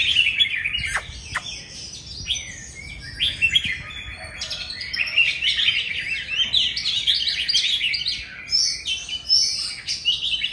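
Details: Loud song of an old wild-caught Oriental magpie-robin, a tethered cage bird at home: a continuous rapid stream of high, varied chirps and twittering notes without pauses.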